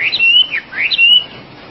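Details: Oriental magpie-robin (wambi) giving two loud whistles, each a rising slur that levels into a sustained high note and then drops away.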